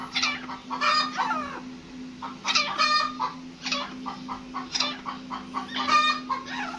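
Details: Grey francolin (desi teetar), a captive decoy bird for hunting, giving bursts of harsh, rapid, grating notes in uneven phrases with short pauses between, over a constant low electrical hum.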